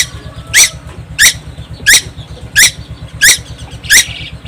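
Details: Timor Island tuwu, a young bird that never stops singing, gives six harsh rasping squawks spaced about two-thirds of a second apart, with a faint steady hum behind.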